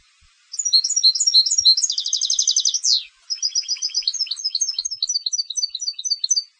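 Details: Contest-type European goldfinch in full song: quick high tinkling notes, then a dense buzzy trill for about a second ending in a falling slur, then a long series of bright, evenly spaced twittered chirps.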